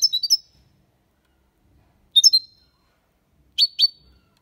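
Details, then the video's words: European goldfinch singing clean in the Málaga copy style, used to stimulate young birds to learn. Three short high twittering bursts, each of two or three bright chirped notes, separated by pauses of more than a second. "Cantó de Jilguero (copia malaga ) para Estimular niños pajaros/Chant de Chardonneret élégant"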